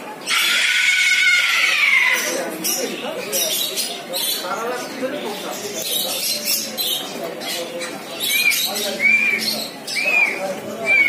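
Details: Male and female eclectus parrots: a loud, harsh, raspy squawk lasting nearly two seconds, then softer chatter and short rising whistled notes repeated about once a second.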